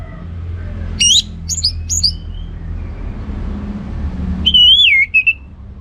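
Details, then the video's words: Orange-headed thrush, a home-kept bird in North Bali, in 'ngeplong' song: three sharp rising whistled notes, a quieter gap, then one long wavering whistle that rises and falls before trailing off. "Anis Merah Ngeplong Gacor"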